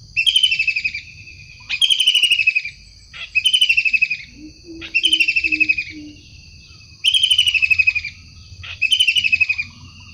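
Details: Wild kingfisher calling energetically: harsh, buzzy, rapidly pulsed bursts about a second long, repeated roughly every one and a half seconds, with brief sharp clicks between bursts and a faint low background hum.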